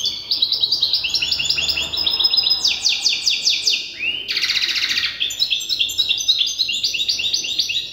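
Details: A young European goldfinch hybrid, still memorising its song from an older goldfinch hybrid, gives a fast, unbroken run of high twittering notes, buzzy trills and tinkling phrases.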